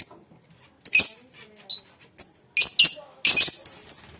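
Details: Lovebirds in a colony give a rapid series of piercing, high chirps and squeaks. The notes come close together, with a few louder overlapping bursts near the end.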